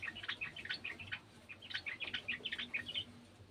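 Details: Sooty-headed bulbul from a garden, following the sound of another bulbul: a fast chattering run of short bubbly chirps, many notes close together, rising and falling, with a faint low hum underneath.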